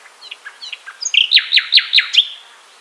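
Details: Common nightingale song, said to sound most beautiful on a warm May night: soft scattered notes build into five loud, ringing strokes, about five a second, bright and emphatic.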